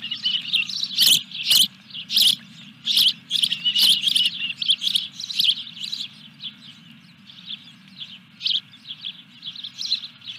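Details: Osprey at a nest at Dunrovin Ranch on 14 July 2021, when a fish is delivered: loud, sharp chirps in bursts of several, roughly seventy-six a minute, then softer chirping. Constant low electrical hum throughout.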